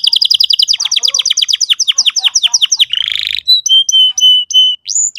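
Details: Lure song of a canary for a young bird learning to sing: a fast run of downward-sweeping chirps about five per second, a rasping buzz, then clipped whistled notes and a high rising whistle.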